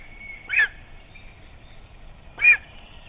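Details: Lesser spotted eagle at the nest in Estonia, recorded on a nest camera: two sharp, harsh yelps about two seconds apart, each short and strident, over low background hiss.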